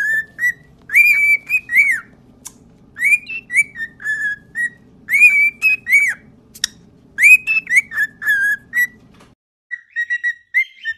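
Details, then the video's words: Pet cockatiel singing, used for training cockatiels to sing: bright whistled phrases of short rising and falling notes, often doubled, in bursts separated by brief pauses, with a soft low hum underneath for most of the recording. "Training Cockatiel to singing"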